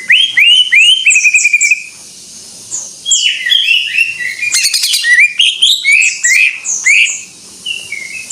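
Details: Greater green leafbird in full gacor song: rapid, loud runs of sweet whistled downslurs, a brief crackling burst, then a long varied sequence of fast twittering phrases.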